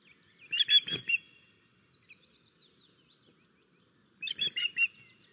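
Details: Osprey at its nest in Estonia on 13 May 2024 while a crow attacks: two bursts of three or four sharp, high whistled chirps, separated by about three seconds of near silence.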